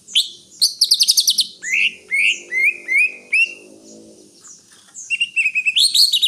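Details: Greater green leafbird singing a varied medley: fast buzzy trills, several falling slurred whistles repeated about once a second, a quieter pause, then rapid chattering notes rising at the end; faint low background hum.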